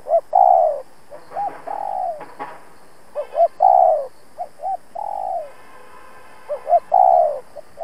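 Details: Decoy spotted dove giving its urging 'thúc gù' coos to challenge and lure wild rivals for trapping: two or three short hooting notes, then a long, slightly falling coo, repeated about every three seconds; faint higher whistles in places.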